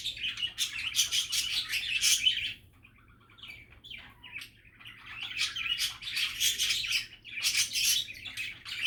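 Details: Budgerigars chattering in a happy, relaxed mood: dense bursts of warbled chirps and squeaky trills with sharp clicks, broken by a quieter pause of a few soft notes midway before the busy chatter resumes.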